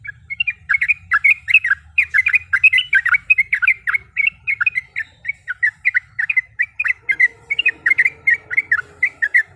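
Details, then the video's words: Female yellow-vented bulbul in breeding condition calling a male, used as a lure to provoke a rival: a dense, nonstop stream of quick bubbling chirps for nearly ten seconds, with a faint low hum underneath. "Suara Panggilan Trucuk Gacor Mencari Lawan Auto Emosi"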